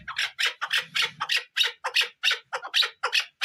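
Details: Chukar partridge uttering harsh, scratchy squawking notes, about a dozen evenly spaced over a few seconds, each short and rasping.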